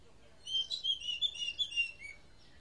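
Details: Oriental magpie-robin, described as making a strange sound: a second and a half of short, clear whistled notes and slurred phrases, high and varied in pitch, delivered in a quick broken series, with silence before and after.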